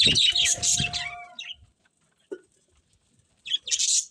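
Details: Budgies chirping: a dense run of high, scratchy chatter fills the first second, then the birds fall quiet. A short sharp note follows, and a final burst of bright chirps closes the clip.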